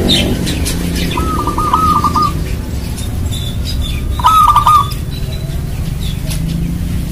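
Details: Local zebra dove (perkutut) song meant to prompt other doves to sing: a longer stuttering trilled coo, then a shorter one about three seconds later, over continuous low-pitched background noise.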